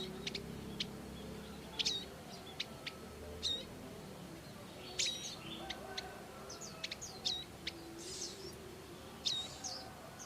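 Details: Bar-winged prinia parents caring for their young in the wild: sharp high chirps and short sliding notes come at irregular intervals, roughly ten over ten seconds, with a low background hum.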